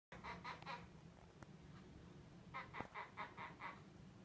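A monk parakeet imitates laughter in quick, throaty 'ha-ha-ha' bursts, two runs of several syllables each.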